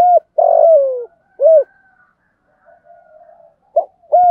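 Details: Captive spotted dove used as a lure, calling in the local thúc gù style to provoke wild doves: short, loud coos and one long coo with a falling tail, separated by quiet gaps with faint, softer cooing.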